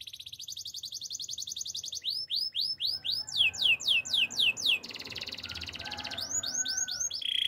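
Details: Canary song, loud and clear: fast trill of rapid notes, then a run of rising upslurred whistles repeated several times a second, a buzzy rolling trill, and more upswept notes, all high-pitched with faint low background hum.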